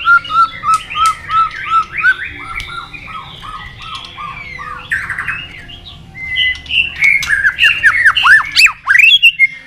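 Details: White-rumped shama in a long wild-style competition song, flicking its tail and hopping on its perch: a run of evenly spaced low whistled notes, a quieter warble, then loud swooping high phrases.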